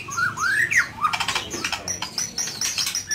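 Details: White-rumped shama singing at night: rising and falling whistled slurs, then a busy passage of rapid high chips and short piping notes.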